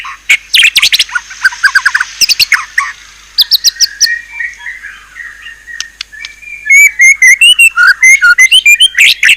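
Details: White-rumped shama with a fierce, richly filled 'isian' song: opening harsh chattering bursts, a quieter stretch of soft notes, then a loud rapid series of bright, slurred whistles.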